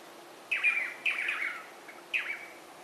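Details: Swallow-tailed manakin calling: three buzzy, nasal, slightly descending notes, the first two close together and the third after a pause of about a second, over a faint steady background hiss.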